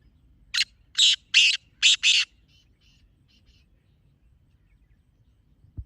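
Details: Harsh, grating call of a black francolin, used to bring francolins in: five loud scratchy notes in about one and a half seconds, then faint echo-like notes and quiet.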